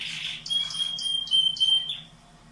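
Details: Canary song for stimulating breeding canaries in cages: a long, steady, pure whistled tone held nearly two seconds, with rapid high pulsed notes repeating above it, ending in a short falling note.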